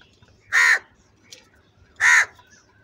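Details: Very loud crow calls: two strong, harsh caws about one and a half seconds apart against quiet surroundings.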